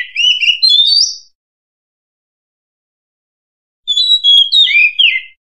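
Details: Oriental magpie-robin song in the wild: short bursts of clear, sweet whistles with upslurred and downslurred notes, separated by a pause of a few seconds; no other sounds.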